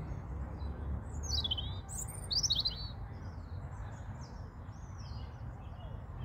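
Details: A European robin sings high, thin, liquid phrases that tumble and warble, strongest early and fading to softer snatches, over a steady low rumble of background noise.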